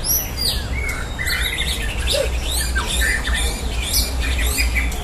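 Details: White-rumped shama (murai batu), caged birds in a simulated song contest ('adu tembakan') meant to train a contest-ready fighting temperament; dense overlapping whistled phrases with sharp rising and falling sweeps and squawky notes over a steady low hum.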